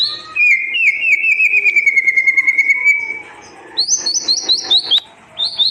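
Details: White-rumped shama song for tutoring birds that stopped singing: a long string of rapid, evenly repeated whistled notes slowly falling in pitch, a brief pause, then a higher, faster trill of sharp notes.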